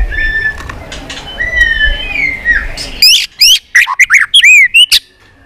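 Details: White-rumped shama in fighting song with tail flicks: quiet sliding whistles at first, then a sudden loud burst of sharp, upswept whistles and rapid varied notes delivered in quick succession.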